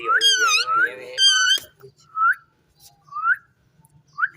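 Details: Indian ringneck parrot in a cage, described as talking, opens with two loud warbling harmonic calls, then drops to quieter short upslurred whistles spaced about a second apart above a low hum.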